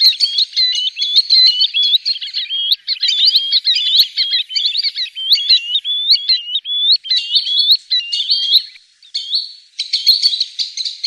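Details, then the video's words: Hunting-lure recording of a green sandpiper: long, dense sequence of bright, high whistles with rising hooks, repeated in rapid twittering runs, briefly thinning near the end before resuming. "Green Sandpiper Bird call"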